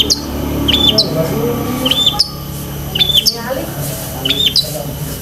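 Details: Long-tailed shrike singing steadily with many copied fillers, meant to train pet shrikes: clusters of brief bright chirps and high hooked whistles, some doubled, broken by a couple of rough bursts, above a continuous low drone.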